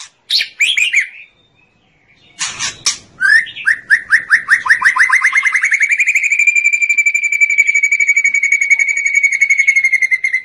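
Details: White-rumped shama (murai batu) song: a few varied whistled and buzzy phrases, a short pause, then a harsh burst and a long, fast, even trill of repeated notes that holds steady for about five seconds.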